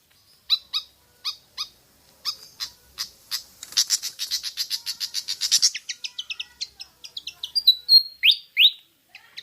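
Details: Pied fantail, Rhipidura javanica, used to lure birds into singing: spaced harsh chack notes speeding into a dense scratchy chatter, then sweet twittering and two rising whistled slurs near the end.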